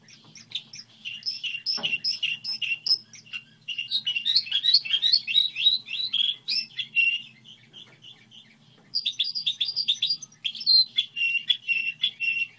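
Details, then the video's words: Goldfinch hybrid delivering a song model: long, busy stretches of high twittering and trilled chirps with a few buzzy held notes, broken by brief quiet gaps; a soft low hum runs throughout. "Hibrid sticlete ,model de cântec (Goldfinch hybrid)"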